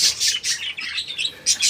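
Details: Kept parakeet colony, 14 January 2025: a run of clear high chirps, some dropping slightly in pitch, followed by a brief pause and two more bright calls.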